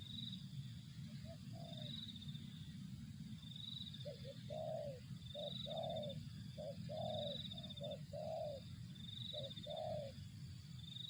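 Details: Spotted dove cooing repeatedly in short rolling phrases, a brief note followed by a fuller, throaty coo, repeated for several seconds. A rhythmic high insect trill pulses throughout over low background rumble.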